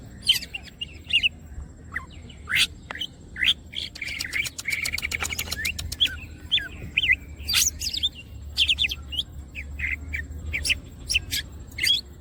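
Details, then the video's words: Greater green leafbird singing energetically with wings spread: varied whistled chirps and sharp snapping clicks, with a rapid ticking rattle mid-phrase, then resuming scattered bright notes. "green cucak birds open wings siip and gacor materials"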